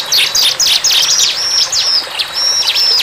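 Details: Bar-winged prinia singing in the wild: rapid, high chirps and sharp up-and-down notes run almost without a break, with a few level whistled strokes, all bright and thin, over a soft outdoor background.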